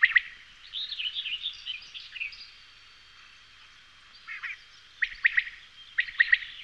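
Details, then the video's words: Common quail song: a few sharp three-note phrases, brief at the start and two near the end, with a stretch of warbled twittering from another bird in between and a quiet pause before the final phrases. "Canto Codorniz Común"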